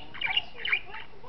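A budgerigar gives a few quick, scratchy chirps with warbling, chattery notes.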